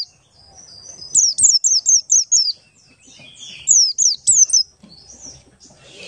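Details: Ngalas-style song of a buxtoni Oriental white-eye, a lure meant to prompt other white-eyes to sing. A rapid run of high, bright, down-slurred whistles about four per second, a short break, then another quick burst.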